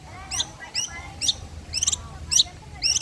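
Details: Long-tailed shrike (blangkon) in the midday sun: quick series of scratchy, slurred notes, some rising and some falling, roughly two per second.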